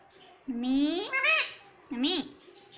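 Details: Talking rose-ringed parakeet mimicking the words "Mummy Papa": two harmonic, speech-like utterances, the first a long rising-then-level phrase with a short inflected tail, the second a brief rising syllable, over a quiet background.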